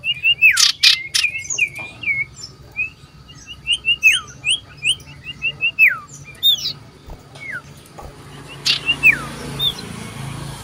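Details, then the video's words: Common iora in loud, persistent song while seeking a rival, 27 December 2022; a lively series of clear whistled notes, many sliding sharply downward, delivered in quick bursts with brief pauses, over a faint low hum. "Burung SIRTU CIPOH berbunyi nyaring gacor mencari lawan"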